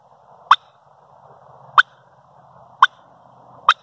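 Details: Turkey hen in the morning giving four sharp, abrupt clucks spaced about a second apart over a faint low steady hum.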